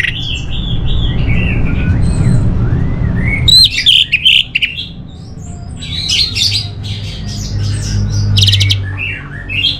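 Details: Song of an orange-headed thrush. It opens with soft warbled whistles, then breaks into loud jumbled high phrases and quick chattering notes over a low rumbling background.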